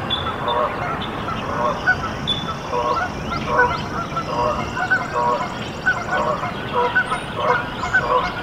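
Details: Canada goose at a nest in Decorah, Iowa, USA, where goslings hatched on 14 April 2024; repeated nasal calls with stacked harmonics come in quick bursts, while other birds sing thin buzzy trills in the background.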